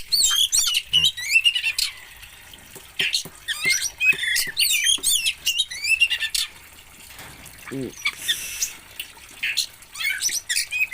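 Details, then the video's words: Oriental magpie-robin from Aceh, Indonesia, singing a dense, fast run of varied high chirps, trills and twisting whistled notes, with brief pauses and a few low knocks in the background. "BURUNG KACER ASAL ACEH"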